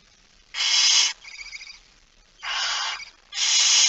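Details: Barn owl holding a mouse, early morning of 17 September 2019, 06:11: three loud, breathy hissing screeches, each about half a second long, separated by quieter, fainter rasps.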